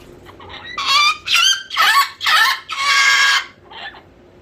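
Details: Loud screeching from a bored pet cockatoo: five grating screams in quick succession, the last one longest, then a brief softer call.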